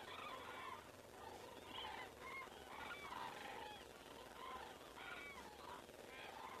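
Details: Overflying common cranes in Estonia, evening of 19 September 2017, call in loud, ringing trumpet notes with clear overtones, several birds at once in bursts about every second, over steady background noise.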